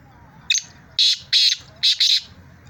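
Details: Loud rasping call of a black francolin recorded in Sindh, Pakistan: a brief clipped note followed by two paired, grating bursts, all strongly pitched high, with faint low rumble behind.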